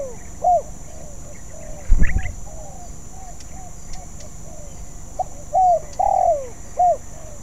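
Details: Spotted dove practising a song it has not yet mastered: soft hooting coos, one after a thump near the start, then a cluster of mellow coos, one dropping in pitch, with fainter cooing behind.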